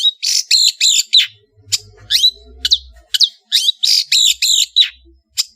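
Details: Madura long-tailed shrike singing vigorously with rough, shot-like fills: rapid grating bursts in clusters, a few sharp upswept whistles in the middle, then more harsh chattering, with low background rumble.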